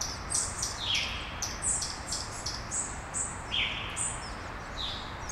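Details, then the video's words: Several small birds singing at daybreak in Brasília, Brazil: high sharp chirps mixed with lower down-slurred whistles, repeated irregularly, over a constant low background hum. "Passarinhos ao amanhecer, em Brasilia"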